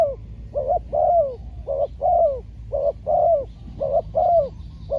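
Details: Spotted dove cooing during decoy trapping in Thailand, a trained decoy bird out luring a wild rival: low mellow coos, mostly paired, repeated steadily about once a second over a faint low rumble of background noise.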